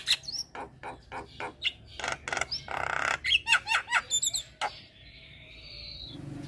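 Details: Javan myna (jalak kebo) in lively, full song: a rapid string of harsh squawking notes and chattering bursts, then a few high clicks and a sustained thin whistle at the end.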